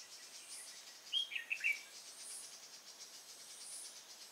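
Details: Red-whiskered bulbul during decoy trapping at Nuông Dăm, 6 May 2018: a quick run of four sharp, liquid whistled notes over a steady pulsing insect chorus.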